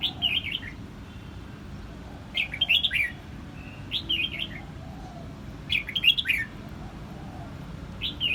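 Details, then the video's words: Red-whiskered bulbul from Quang Nam, Vietnam, singing bright warbled phrases of four or five quick whistled notes, repeated several times with short pauses over faint low background noise. "Vietnam bird is singing!越南广南戴帽鸟之歌"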